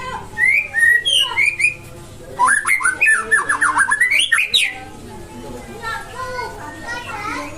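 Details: Nias white-rumped shama singing loud whistled and chattering phrases: sweeping rising and falling notes, then a rapid burst of sharp repeated notes, then quieter softer phrases over steady low hum.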